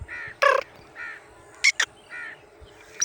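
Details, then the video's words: Black francolin (kala teetar) recorded in Sindh, Pakistan: a series of nasal, grating notes repeated roughly once a second, mixed with a few sharp, loud clicking bursts. "kala teetar"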